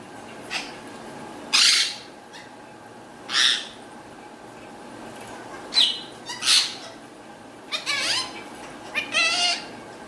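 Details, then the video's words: Indian green ringneck parrot, said to be talking in Urdu/Hindi: short harsh bursts about every two seconds, six or seven in all, some doubled, over a steady faint background hum. "Indian Green Ringneck Speaking Parrot | Green Parrot Talking Beautiful |Parrot Talking In Urdu/Hindi"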